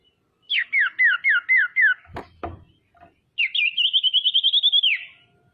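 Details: Female common iora used as a lure to provoke rival ioras into calling: a series of five falling whistled notes, two sharp knocks, then a long, even, rapid whistled trill lasting about a second and a half.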